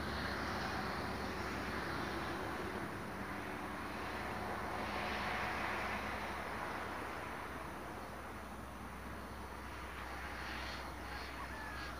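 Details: A steady broadband roar like a passing vehicle or distant aircraft fills the recording, with no animal calls standing out.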